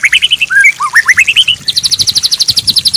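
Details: White-rumped shama song, a training recording for a stalled, stressed bird: sweeping whistled notes that rise and fall, then a rapid, regular high trill of sharp repeated notes.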